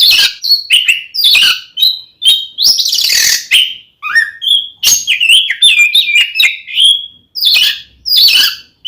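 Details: Oriental magpie-robin belting out a combative song meant to make a rival male angry, in the 'ngeplong' style: bursts of high whistles, buzzy rasping notes and quick twittered runs, separated by short gaps.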